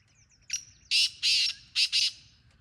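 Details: Harsh, scratchy black francolin phrase: a brief clipped lead note, then two drawn-out rasping syllables and a quicker closing pair, all loud and close.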